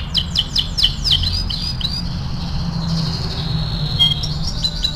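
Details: Canary singing for song training, several loud quick downslurred notes, then fainter, long thin whistles over a steady low hum.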